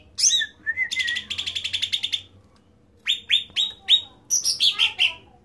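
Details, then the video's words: Cucak ranting, a bulbul, singing loudly and continuously: clear sweeping whistles alternate with fast buzzy rattling bursts and short repeated chattering notes, high-pitched, with brief pauses between phrases. "Cucak Ranting super gacorr"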